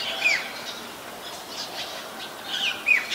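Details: White-vented myna recorded 29 December 2019 in Ubon Ratchathani, Thailand, giving a rough squawk, then quieter rasping notes, and two more sharp squawks close together at the end.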